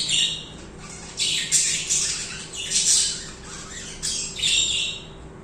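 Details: Budgies singing: loud, grating, high chatter comes in about five surging bursts, each roughly a second long, separated by brief softer gaps.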